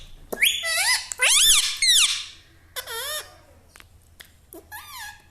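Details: Parrot imitating human words such as "mummy": sharp, squeaky syllables with arching pitch, several rapid phrases and a few clicks in a small room.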